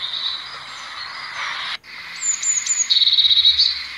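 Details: Blue tit song: a few very high, thin descending notes followed by a quick trill repeated at a lower pitch, over a steady high hiss of background noise.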